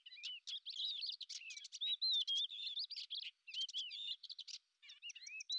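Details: A hunting lesser grey shrike delivers a steady, high chattering song of wavering whistles and clipped scratchy notes in dense bursts separated by short gaps.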